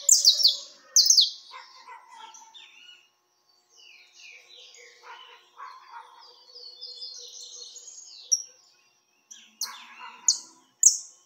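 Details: High, varied Peruvian canary song: loud sharp chips open and close a long passage of quieter, rapid twittering and slurred whistles, with a brief pause before the end.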